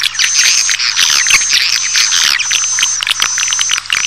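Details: Playback used to attract swiftlets: thick, unbroken high twittering with quick chirps layered over a steady shrill tone, and a faint low hum underneath.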